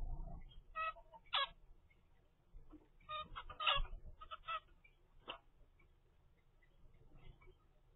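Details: Young zebra finch, a 25-day-old chick from a first captive clutch, gives short nasal harmonic calls in irregular bursts, a cluster of rapid notes in the middle, then quiet stretches with faint low background hum.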